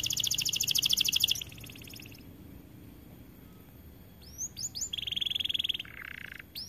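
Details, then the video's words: White-coloured AF canary singing vigorously: a loud, fast, high buzzy trill for over a second, a pause, then upswept whistled notes and a steady rattling trill near the end. "Kenari AF warna putih GACORR DORR"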